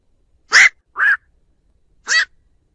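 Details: Black-crowned night heron calling to gather the flock, used as a lure: three brief hoarse croaks, the first two close together and the last after a pause, in otherwise quiet surroundings.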